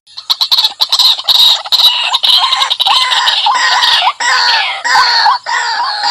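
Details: Lure call of a white-breasted waterhen, said to be fierce: loud, ringing, harsh notes that become strident, nasal 'kwak' phrases repeated roughly once a second, each with a sharp upward kink.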